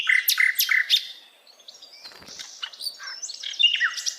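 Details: A wild forest sikatan londo flycatcher opens with loud, buzzy squeaky notes, then continues in softer, scattered chirps and short whistled phrases.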